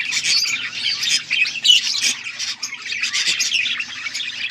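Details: Pet budgies, August 14, 2024: loud continuous flock chatter of squeaks, whistles and scratchy warbles filling the whole stretch with small swells.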